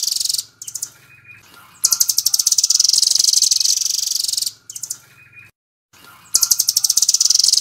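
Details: Velvet-fronted nuthatch singing its 'nembak' full-speed style, kept as a tutor for training other songbirds: bursts of very rapid, high, buzzy trilled notes lasting one to three seconds, separated by short pauses, with faint higher whistled notes between bursts.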